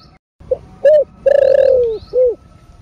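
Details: Spotted dove cooing in the 'thổ sấm' style, used to spur caged doves to sing. One low phrase: a soft short note, a clipped coo, a long throaty coo sliding downward, then a closing rounded coo.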